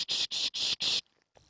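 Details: A Savi's Warbler calling from reeds only about 10 ft away gives its dry, cricket-like vibrating reeling song in short, rapid buzzing bursts.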